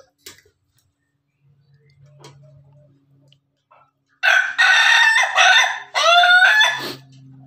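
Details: An Ayam Ketawa rooster in the morning gives its loud, broken crow, a rapid stuttering run of harsh notes.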